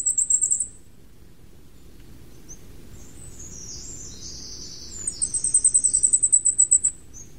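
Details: Flamecrest, a Taiwan endemic of middle and high mountains, gives a brief burst of very high, thin, rapid notes. After a quiet gap, a longer string of about a dozen sibilant pulses follows over a faint low rumble.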